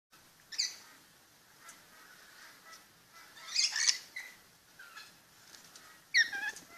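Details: Rainbow lorikeet (Trichoglossus moluccanus) calling: harsh, shrill screeching bursts, three loud ones a few seconds apart, with softer chattering notes between them.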